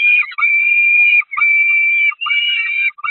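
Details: Peregrine falcon chicks begging at their church nest site, spring 2021, so hungry they attack the adult female; loud sustained piercing screams, held steady then dropping at the ends, three long cries in quick succession.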